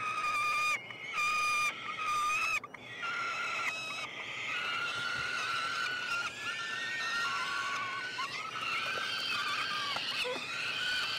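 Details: Peregrine falcon nestlings, three siblings, calling during a feeding at a university nestbox in Montreal, Canada, 21 June 2022. A few clipped, piercing wails give way to longer, overlapping drawn-out screeches that waver and slide in pitch.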